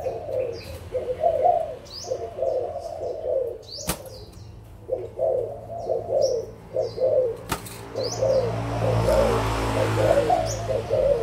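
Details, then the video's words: Adult spotted doves from Malaysia and Thailand, recorded 16 March 2022, giving repeated low soft cooing phrases, several in a row with short gaps, plus high chirps from other birds and two sharp clicks. "cu gáy trưởng thành malaysia và thailand"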